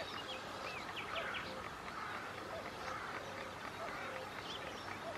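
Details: Breeding colony of sand martins on the Bečva river, Czech Republic, recorded 3 June 2018; brief sharp chirps and short rasping notes scattered through constant flowing-water noise.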